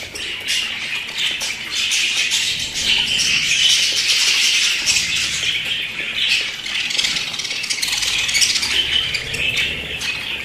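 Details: Constant high warbling chatter from pet budgerigars, a dense stream of rapid chirps and squawks with little pause.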